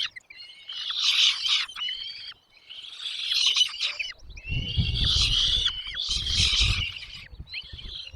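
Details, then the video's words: A nest family: parents feed their chicks while the young give harsh, high-pitched begging screeches in four or five loud bursts, separated by brief quiet spells. Low rumbling and rustling accompany the later bursts. "mom dad birds brings food to feed their chicks in the nest"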